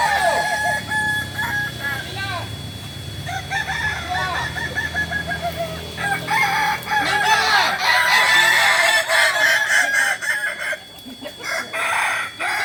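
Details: Several Kokok Balenggek cocks at a group practice in Ampang Kualo, Kota Solok, West Sumatra, crowing in long chains of short arched syllables that overlap and continue for over ten seconds, dense and layered.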